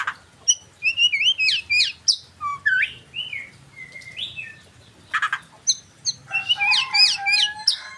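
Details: White-rumped shama singing a long, varied medley of clear whistles, rising slurs and rapid chattering notes, with brief pauses and a dense burst of mixed phrases near the end.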